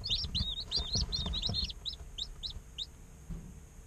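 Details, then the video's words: Day-old chicken chicks in an incubator, peeping as they play: rapid high chirps in quick overlapping bursts that thin out into single spaced peeps, with low rumbling handling noise underneath. "Chicks Chirping Sounds - Baby Chicken Sounds 20 Minutes - Incubator Sound Helps Chicks Hatch"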